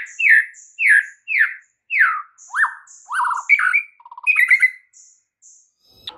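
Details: White-rumped shama delivering a varied song of learned filler phrases to encourage a silent shama: a series of loud downslurred whistles about one every half second, then buzzy rattles, a quick low trill and twittering notes.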